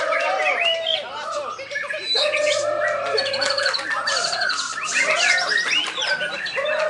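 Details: Bornean White-rumped shama singing at a bird contest in Sambas on 28 October 2017: rich, varied whistled phrases with rapid chatters and trills against a dense chorus of other birds.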